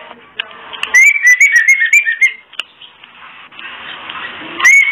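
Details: A female oriental magpie-robin's kretekan, a call for bringing males into breeding condition: a quick chain of short whistles rising and falling, peppered with rapid clicks, then quiet, then one final rising whistle.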